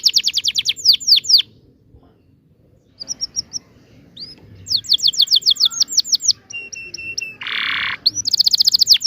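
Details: Canary tembakan ngerol song for juvenile canaries learning to sing: quick high descending notes, a silent gap, short flat whistles, more rapid trills, and a loud harsh buzz before a final fast trill.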